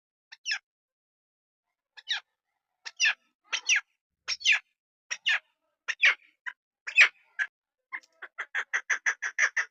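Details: Female chukar partridge, a hunting decoy hen, starting with spaced, sharp rising chuck notes about a second apart, then breaking into a fast burst of repeated clucks at the end.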